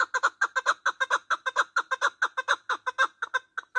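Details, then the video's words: Male partridge heard in a hunting lure recording; rapid, harsh chuck-chuck notes repeated roughly five times a second in a dense, slightly uneven series. "Голос куропаток-Наркабки масти девона Partridge voice to hunt"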